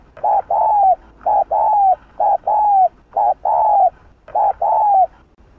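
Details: Spotted dove in the 'Hạp Bổi' voice, an urging call meant to provoke other doves. Rapid pairs of one short coo and a longer, slightly falling coo repeat about once per second, steady and insistent.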